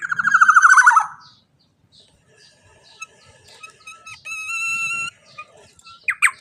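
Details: Black-naped oriole singing in the teler style: a loud harsh descending rattle of rapid notes, then quiet scratchy sounds and a sustained nasal, mewing tone with a brief final burst.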